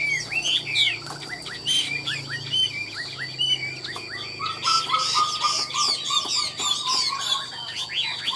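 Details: Chinese hwamei kept in a cage and sold as a fine songster that nods while warbling. Varied whistled and chattering phrases come in quick succession, joined midway by a denser jumble of bright twittering notes, with a constant high hum behind.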